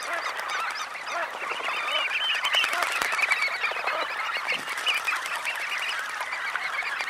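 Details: A large flock of red knots, bathing after take-off, makes a dense, steady chatter of low, nasal, grunting calls, many overlapping at once.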